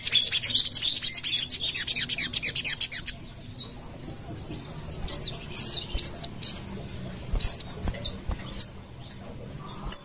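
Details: Sogon used as a lure, rapid high chattering for three seconds, then separate rising and falling whistled notes at irregular intervals.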